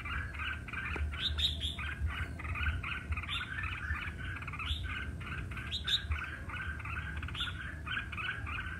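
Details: Red-whiskered bulbuls singing competitively: a dense, unbroken stream of quick, bubbling whistled notes, with occasional higher sharp notes, over a low, steady rumble.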